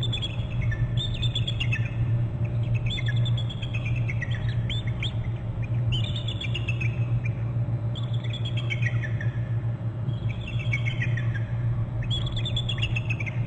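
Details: Bald eagle calling at its nest territory on Hornby Island: repeated series of high, thin, descending piping chatters, one burst about every two seconds, over a steady low hum.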